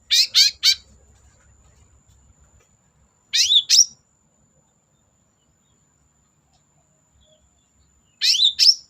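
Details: Long-tailed shrike singing vigorously, used as a lure for shrikes that will not sing: three bursts of rapid, scratchy, high chattering notes separated by long silent gaps.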